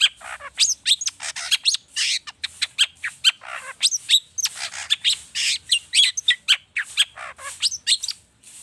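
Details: Agitated long-tailed shrike song packed with varied borrowed phrases, meant to get other birds singing: a nonstop stream of sharp chirps, rapid trills and squeaky sweeps delivered several per second.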